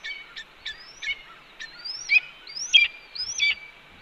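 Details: Female red-tailed hawk at a Cornell nest, 18 May 2013 at 6:41 PM, announcing her return to the nest before leaving the railing to join the young. Short, high squealing notes rise then drop sharply, given irregularly about every half second over a quiet background.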